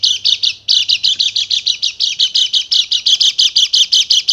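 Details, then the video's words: A white-eye (Bali pleci) lure song meant to rouse silent birds into agitated, full singing. It is a fast, high, twittering chatter of about six bright notes per second, running on without a break. "PANCINGAN PLECI MACET BUNYI JADI EMOSI DAN GACOR"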